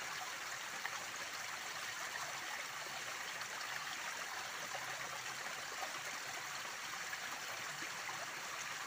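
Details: Flowing water gurgles and rushes steadily throughout, and no animal sound stands out.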